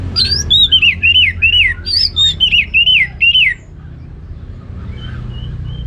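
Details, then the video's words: Ngeplong song of an orange-headed thrush, a series of about ten clear whistled notes, each arching up then sliding down, delivered evenly for three seconds before stopping, with low hum behind. "Anis Merah Ngeplong Gacor"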